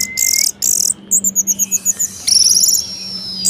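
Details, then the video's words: Caged orange-headed thrush in lively varied song, played to stir lazy birds into singing: a long thin whistle, bursts of high hissy notes, then a fast series of sharp high chips and a buzzy trill, with a steady low hum behind. "Anis Merah Gacor Variasi Bangkitkan Emosi Anis Malas Bunyi Agar Rajin Berkicau"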